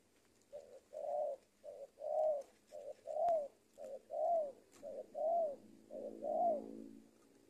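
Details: Trained decoy spotted dove (tekukur) from Indonesia cooing in a steady rhythm: six paired phrases, each a short clipped note followed by a longer, arched, mellow coo, about one phrase per second over quiet background.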